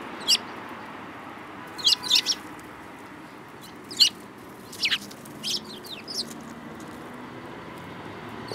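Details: Sparrows in a group in March 2018, calling with sharp, high chirps that come singly and in short doubled bursts, then trail off into quiet hiss.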